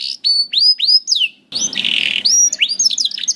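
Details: Canary singing, used to stimulate juvenile canaries to sing: arched whistled notes repeated, then a harsh buzzy section followed by quick chirping notes.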